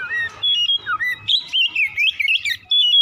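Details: Oriental magpie-robin singing in the morning, a lure recording meant to spur another bird into rapid continuous song; bright whistled phrases slurring up and down, then a fast warbled run of high notes with a faint low hum beneath.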